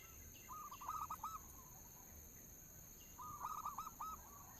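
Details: Two short phrases of rolling coos from a local zebra dove lure recording, each a quick run of pulsed notes, fairly quiet against hiss, scattered high chirps and a steady tonal hum.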